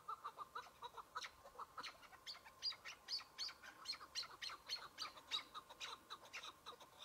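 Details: Chukar partridge, a single bird in spring among patchy snow at the opening of the hunting season, gives rapid repeated clucking notes mixed with sharp, bright clicking bursts in an uneven rhythm.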